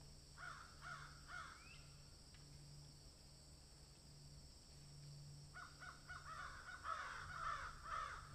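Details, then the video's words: A crow crowing as it eats food: three quick harsh caws, a quiet gap of several seconds, then a long loud series of grating caws to the end, with a low humming background. "Crow sound"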